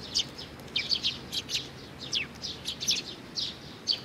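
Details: Young sparrow in June 2019 giving soft, high, descending chirps in loose pairs and triplets, fairly quiet against a light background hiss.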